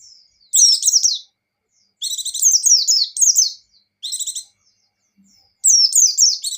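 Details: Energetic gacor and ngecir singing of a buxtoni white-eye (pleci): loud bursts of rapid, high chattering notes, each about a second long, broken by short silences.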